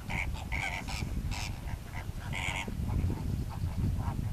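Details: Several Greater flamingos (Phoenicopterus roseus) call at once, giving nasal, goose-like honks in quick overlapping bursts, over a steady low rumble of wind or distant noise.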